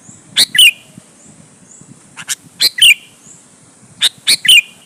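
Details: Lively sooty-headed bulbul song meant to goad other bulbuls into replying: three paired phrases roughly every two seconds, a bright clipped note then a warbled downslurred whistle, over quiet low background murmur.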